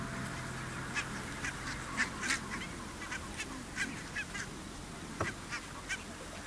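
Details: A flock of Pink-footed Geese and Brant near the Borreby bogs, very low wet land, gives short, high yelping honks in an uneven run, about three a second, over a steady low rumble of wind.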